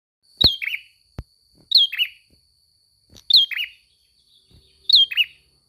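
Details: Ashy prinia singing: a bright downslurred note near the top followed by a lower buzzy chirp, the pair repeated about every one and a half seconds, with a steady high whine and faint clicks behind.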